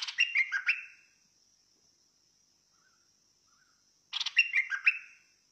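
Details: Fierce-style bulbul song: two lively phrases of tumbling, chattering notes separated by a four-second gap, over a constant thin high whine.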